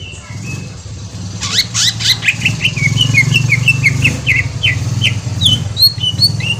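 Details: Green leafbird (cucak ijo) song played as a lure to make another bird answer; a run of quick, sharp chirped notes repeating about every third of a second over a steady low engine-like hum.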